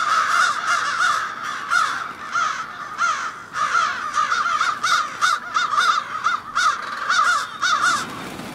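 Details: Many crows from an urban winter roost in Ontario, Canada, giving loud raspy caws in quick overlapping bursts, several calls a second, with the flock's din swelling and easing in waves.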